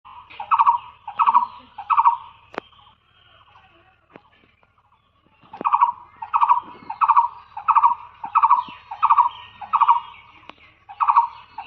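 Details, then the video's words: Blue-eared barbet calling: a steady series of short, throaty double notes repeated about every half second, a pause in the middle, then the rhythmic series resumes, with a few sharp clicks in the background. "The Blue eared barbet: SOUND of this bird"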